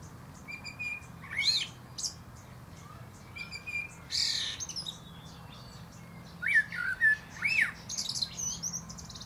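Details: Rich whistled phrases with thin high twittered tails, from a common blackbird singing at the top of a plum tree; several phrases spread across the recording with short pauses.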